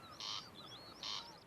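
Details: A male corncrake on Tory Island, Ireland, calls to rivals to stay off its territory: two dry, rasping "crex" bursts about a second apart.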